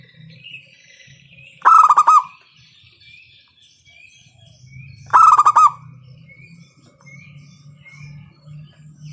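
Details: Local zebra dove, perkutut, recorded loud as a lure to stimulate other doves to sing: two short bursts of rapid pulsed cooing roughly three and a half seconds apart, over a soft low rumble.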